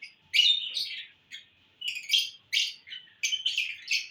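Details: Lovebirds in a happy mood on June 1, 2022, giving short, sharp, squeaky chirps in uneven bursts of a fraction of a second, with silent gaps between them.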